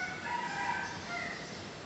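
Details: Rooster crowing, a drawn-out harmonic cry that holds steady for most of a second, then a shorter second note, over a soft hiss.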